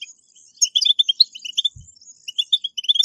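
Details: Short burst of European goldfinch 'betbetat' song played to spur caged goldfinches into song: crisp, rapid twittering with ringing high notes, a brief lull, then more chirps, with one low knock.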